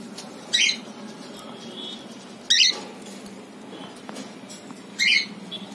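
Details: Cockatiel enjoying itself on a balcony, giving short harsh squawks roughly every two seconds, three in all, over a constant low background hum with faint chirps between.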